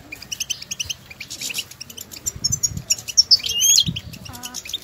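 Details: European goldfinches outdoors calling to each other with stimulating calls: crowded high twitters and sweeping thin whistles. A short lower buzzy trill comes near the end, with soft low thuds throughout.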